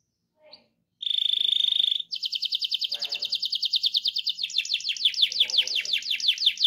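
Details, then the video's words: Rolling 'ngerol' canary song meant to prompt other canaries to sing: one short note, a dense high buzzy trill, then quick evenly repeated notes changing into a rapid series of sweeping slurs. "RANSANG BURUNG KENARI CEPAT BUNYI GACOR DENGAN SUARA KENARI GACOR NGEROL INI!"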